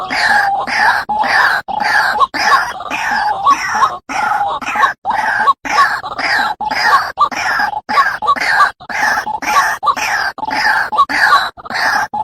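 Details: A white-breasted waterhen (Amaurornis phoenicurus) lure recording, with harsh croaking notes repeated rapidly, about two each second, in a steady chanting run with short abrupt breaks.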